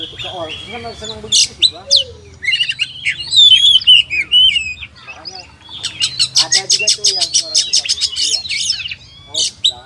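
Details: Oriental magpie-robin (kacer) singing varied whistled phrases with clear rising and falling slurs, then a long burst of fast repeated clicking notes.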